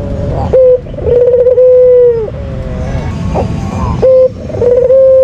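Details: Energetic lure call from a white Barbary dove kept as a contest bird: a short note, then a long level coo that falls away at the end, a pause, and the next call starting, over low background rumble.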